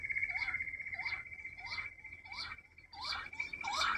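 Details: Rock bush quail, described as a hunting lure call, given as repeated rising whistled notes roughly every 0.7 seconds over a steady high insect-like tone.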